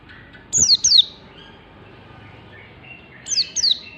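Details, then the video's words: Morning training song of an Oriental white-eye for teaching caged birds: two pairs of piercing downslurred whistles, each pair about three seconds apart, with quiet stretches between them. "Masteran pleci pagi hari positif nyaut cepat gacor"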